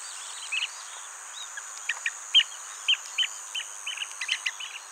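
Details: Blue-tailed bee-eater near its nest hole, where the male brings insects caught mid-air to its mate, recorded on a Nikon D500: short chirped notes in scattered runs, some doubled, over a steady high-pitched hiss-like drone.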